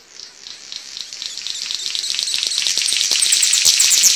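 King-of-Saxony Bird-of-paradise giving a high, hissing, static-like buzz that swells steadily louder, threaded with rapid faint ticks about three per second.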